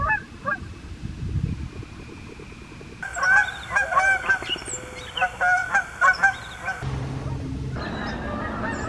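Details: Canada geese on the wing on a US morning, a flock honking in quick, overlapping bursts that grow loud and dense midway, then fade to scattered honks over steady low background noise.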